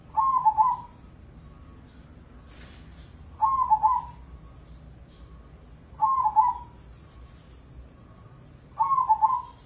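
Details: Caged Indonesian crossing zebra dove, a prize-winning contest bird, coos a short trilled phrase four times, about every three seconds, with a brief faint hiss and soft steady background between phrases.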